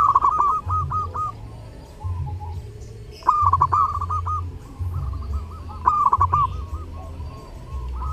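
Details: Energetic zebra dove song during Lebaran, intended for training other birds: three phrases of rapid, bubbling, ringing coos, each followed by rolling trills, with a pulsing low drone throughout.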